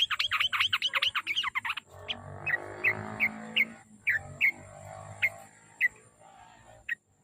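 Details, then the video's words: Trucuk (yellow-vented bulbul) song used as a lure so a bird sings readily: an opening flurry of rapid chattering notes, then sparse single chirps spaced about half a second apart over a broad background hiss. "KICAU SUARA BURUNG TRUCUK PACINGAN BIAR RAJIN BUNYI"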